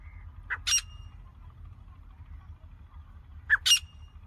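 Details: Grey francolin calling non-stop: a harsh, two-part screech, short note then louder one, heard twice about three seconds apart over a low rural hum.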